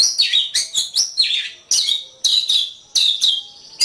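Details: White-rumped shama singing in a training recording for songbirds, loud rapid bursts of high sweeping whistles and harsh chatter, phrases coming about every half second with brief gaps.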